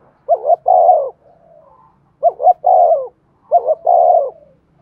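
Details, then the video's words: Decoy spotted dove female calling to provoke cooing. Three regular coos, each a double note plus a long falling tone, arrive about 1.6 seconds apart, with faint low hum between them. "tiếng cu mồi thúc bổi"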